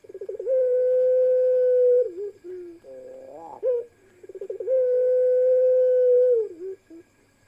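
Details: Pelung-style ringneck doves in a parade of birds with one female among them: a long level coo held nearly two seconds, ending in a wavering drop, then a rising trilled phrase, and the pattern repeats.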